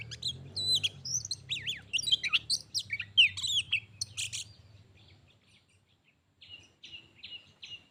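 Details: Pet Oriental magpie-robin singing against a wild bird that approached it, a vocal contest ending in a fight; dense rapid burst of sweeping whistles and chirps for five seconds, then sparse short repeated notes, with a low hum beneath.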